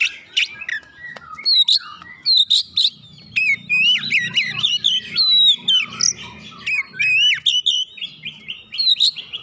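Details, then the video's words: Oriental magpie-robin in gacor singing, the vigorous song used to stimulate a lazy bird. It is a rich, varied run of whistles, sharp upslurs and chattering notes, nearly continuous, with faint low rumble beneath. "hitungan detik merangsang Kacer malas bunyi langsung gacor"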